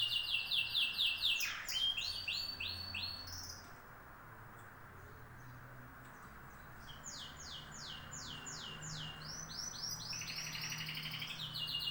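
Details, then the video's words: Canary singing: bursts of rapid, high trills built from repeated notes, some buzzy and some whistled, a quiet stretch midway, then further fast rolling series; a faint low hum underneath. "طيور الكناري"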